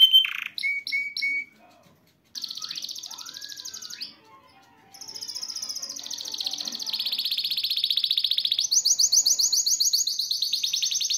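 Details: Worked-up male canary in a cage, singing to push a female toward mating: a few clipped chirps and a brief pause, then rising slurred whistles and long, very fast high trills that climb step by step toward the end.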